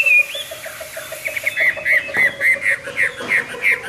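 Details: Morning hwamei song of short whistled notes repeated rapidly, roughly three each second, over a steady low continuous hum.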